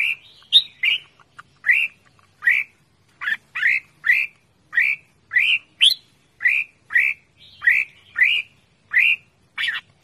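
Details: Caged red-whiskered bulbul calling loudly and persistently: a steady series of short, bright upslurred whistles repeated about twice per second for ten seconds, evenly spaced and clear against a quiet background.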